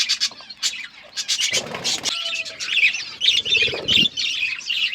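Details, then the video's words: Budgerigars chirping while eating: bursts of bright, scratchy chirps and warbles, with a few short steady whistled tones and some low rustling in the middle. "Budgies eating food birds chirping sounds"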